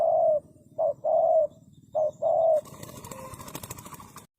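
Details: Spotted dove giving low, mellow coos, a short note followed by a longer drawn one, twice in succession, then rustling and handling noise take over.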